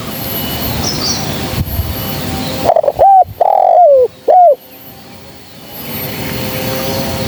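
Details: Spotted dove (female) cooing as a trapping lure: after a stretch of hiss comes one clear phrase of two clipped coos, a long mellow downward-sliding coo and one short final coo.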